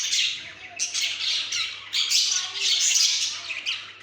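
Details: Pet budgerigars chatter in a busy stream of high, scratchy squawks and warbled chirps, recorded 28 October 2023.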